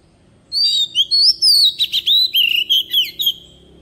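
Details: Oriental magpie-robin singing in a forest voice as a lure bird: a loud, clear phrase of about a dozen whistled notes, sweet and varied, some sliding, others short chips, over a quiet background.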